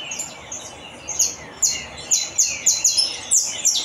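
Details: A saffron finch sings a steady run of bright, high chip notes. Each note slides downward and they come roughly three times a second, growing more even and emphatic toward the end, against a quiet hiss.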